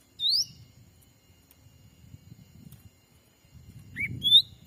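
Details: Black-capped bulbul lure sound for catching wild birds in the forests of Sumatra. A rising whistle opens, then after a pause a short dipping note and another rising whistle, over a low rumble.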